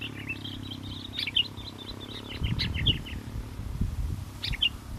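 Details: Sooty-headed bulbul singing lively in strong wind during bird luring: a fast run of bright chirpy whistles, then scattered single chirps amid bursts of wind rumble.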